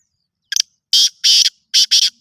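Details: Black francolin, locally called kala teetar or kala Sindhi teetar, giving a loud harsh call: a quick double click, then four rasping, grating notes in two pairs, each pair about half a second apart, in an otherwise silent background.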